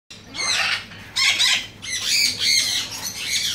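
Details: A ringed Galah gives a rapid series of harsh, high, screechy squawks, several overlapping in quick bursts over a few seconds.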